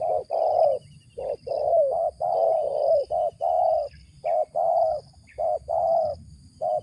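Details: Tekukur, or spotted dove, with a strong raspy 'ngeruk' call judged good for luring: a long run of low, hoarse paired coos, short then drawn-out, delivered rapidly with brief gaps.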